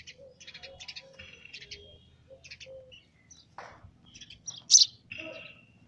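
A young sparrow gives a run of high, thin chirps and short tweets, with one louder sharp cheep near the end and soft low murmurs beneath.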